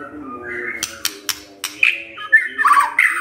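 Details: Shama provoked by a lure recording, singing in short bursts: a brief whistle, a string of crisp clicks, then a tumbling, buzzy, warbled phrase.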